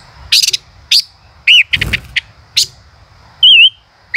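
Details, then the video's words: Male chim ngũ sắc singing 'chế cựa hai': clustered high chips, then separate short, wavering whistles. A brief broadband rustle is heard in the middle. "tiếng chim ngũ sắc hót - chim ngũ sắc trống hót chế cựa hai"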